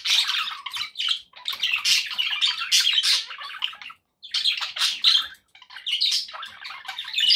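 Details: Budgerigars kept as pets warble in long, dense runs of scratchy chatter and sharp chirps, pausing briefly between runs.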